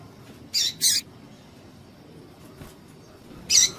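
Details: Calls of a female double-collared seedeater used to stir up males: a quick pair of high scratchy chirps, then a single one after a gap of two and a half seconds.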